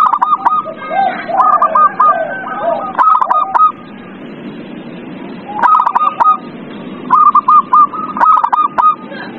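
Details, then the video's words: Zebra dove, used to encourage a lazy dove to sing: rapid bursts of short hooked coo notes in two groups, with lower soft coos and a quieter pause in between. "Pancingan perkutut paling ampuh | perkutut males bunyi"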